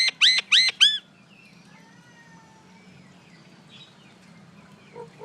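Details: Common myna giving three loud, sharp, ringing notes in quick succession, followed by quiet with only faint distant sounds.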